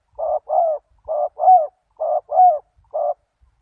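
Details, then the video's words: Lure call of a spotted dove for attracting wild doves: seven hollow coos in paired phrases, roughly one note every half second, some notes with a bent, upward-curving tone, set against silence. "Chim cu gáy chiêu kích mồi tập bổi nhanh nổi hiệu quả"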